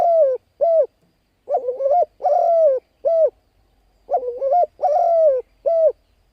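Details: Spotted dove lure call for wild birds: repeated phrases of short descending coos, a wavering note and a longer falling coo, delivered in quick succession with brief gaps and faint low background noise.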